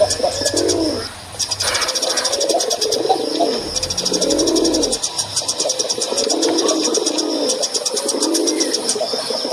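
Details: Male dove cooing in repeated low, throaty phrases every second or two, accompanied by loud high-pitched buzzing, rapid ticks, and a brief low hum.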